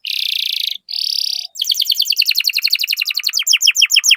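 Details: Canary song meant to stimulate other canaries: two loud buzzy rattles, then a rapid string of sharp descending chirps that slows slightly toward the end.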